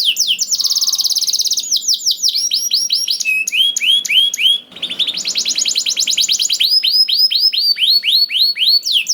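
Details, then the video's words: Canary in full song meant to trigger other canaries to sing: fast trills, repeated downslurred whistles about three per second, chattering rolls and a brief gap midway. "MASTERAN KENARI GACOR !! DENGAR SUARA KENARI DI JAMIN KENARI NYAUT SEKETIKA"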